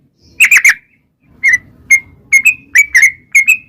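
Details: Sooty-headed bulbul calling to lure wild birds into answering. A quick triple chirp opens, then after a gap come spaced single and doubled whistled notes with soft rising tails.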